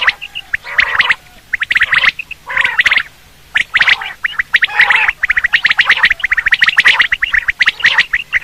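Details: Quail (batair), a call used for quail hunting: harsh, raspy, gargling bursts of notes, about one burst a second, with short clipped chips between them. No other sounds stand out.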